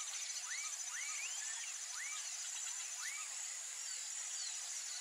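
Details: A family group of Wattled Jacanas (Jacana jacana) foraging in a wetland gives short, squeaky, upslurred-then-falling notes, about one per second, over a loud, steady high-pitched insect drone.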